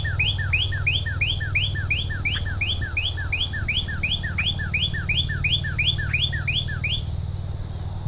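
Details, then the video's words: Northern cardinal singing with enthusiasm in early September along a rail trail in the Gypsum Mine Tract, Haldimand, Ontario, Canada. It gives an unusually long sequence of about 18 quick, clear downslurred whistles over about seven seconds, with a steady insect drone and low hum behind. "that is the longest sequence I've heard in a long time from a northern cardinal"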